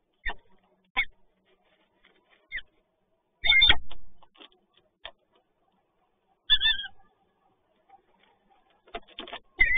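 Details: Peregrine falcon with prey at Toruń, Poland, 30 March 2022, giving a few short, harsh, nasal calls at uneven intervals, mixed with dull knocks and scraping thumps.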